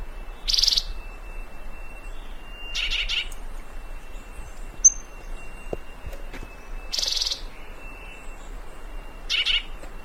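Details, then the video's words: Colombian Thick-billed Euphonia (fruterito picudo) played to attract birds: four brief scratchy high-pitched bursts about every two seconds, a steady thin tone running underneath, otherwise quiet. "Fruterito Picudo, sonido de su canto el mejor para llamar."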